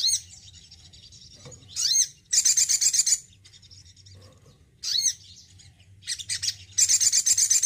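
A male crested jay gives loud, high, rattling bursts of chattering notes with sweeping whistles, separated by short pauses. A faint low hum runs underneath.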